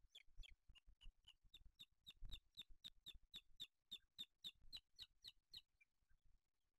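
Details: Booted eagle at a nest with chicks in Spain, 8 July 2023, as the male brings a small bird for the older chick: a steady series of thin, high, sharp notes about four per second, fading out at the end.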